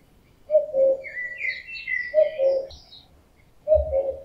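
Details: Common cuckoo male calling in summer during the mating season: a loud two-note cu-coo, the second note lower, given three times about every 1.6 seconds, with thin high songbird twitters behind.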